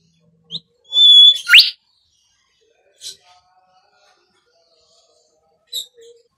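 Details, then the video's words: Bimoli song used as a lure for training cage birds: a bright whistled note followed by a sweeping downward slur, then scattered short high chips and soft notes with pauses between. "SIULAN BIMOLI UNTUK PANCINGAN BURUNG"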